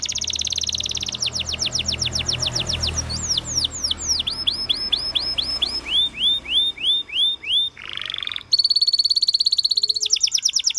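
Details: Canary song with fast repeated downward-slurred whistles, a brief buzzy section, then a sustained high rolling trill, set against low rumbling background noise.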